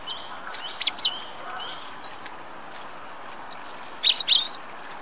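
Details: Spring song of a European robin in Dortmund's Rombergpark, 27 March 2013, captured on a Panasonic Lumix GH3: sparkling high twittering notes, then a very high thin whistled series and a few lower liquid chirps.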